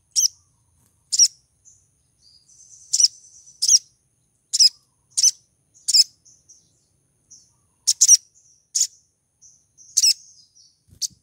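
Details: ['Female crimson sunbird in heat attracting a male: bright, high-pitched chips, some doubled, spaced irregularly about a second apart amid soft high twittering.']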